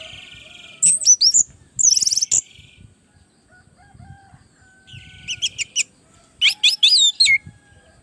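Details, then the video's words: Orange-headed thrush singing energetically, used as a training recording to lure other birds into answering. Bursts of high, sharply twisting whistled notes come in two clusters separated by brief pauses, with faint low rumble beneath. "Suara burung Anis merah gacor masteran Anis pancingan suara burung Anis merah"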